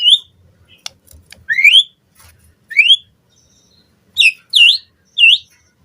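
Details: White-rumped shama lure song for training captive birds, sparse here: a few loud rising whistles and clear, dipping swoops spaced over several seconds, with faint ticks and near-silence between them.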